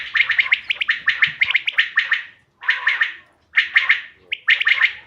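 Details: Quail (bater), played as a lure for hunting: bursts of sharp, liquid three-note phrases, each note a quick bright upward flick, repeated in dense runs with short pauses between groups.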